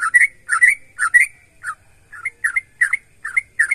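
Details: Sooty-headed bulbul singing vigorously to draw other bulbuls into song: rapid rolling whistled notes, each rising then dropping, repeated roughly twice a second in a steady run, no other sounds.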